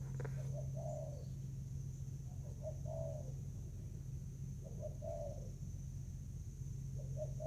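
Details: Spotted dove fighting over food in Vietnam, 24 July 2019: faint low coo phrases, each a quick note followed by a longer drawn coo, repeated at intervals over a steady electrical-sounding hum.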